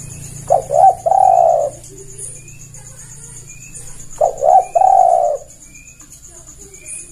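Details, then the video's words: Javan turtle dove coo played to lure birds for catching, two phrases about three seconds apart of quick double notes and a sustained coo, faint chirps and a steady high whine behind. "Pancingan terbaik suara tekukur paling ampuh"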